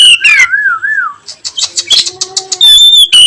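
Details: Oriental magpie-robin in the afternoon, 'nyiul' style song. A smooth, undulating whistle warbles up and down, followed by a run of quick soft chips, then long, steady high whistled notes.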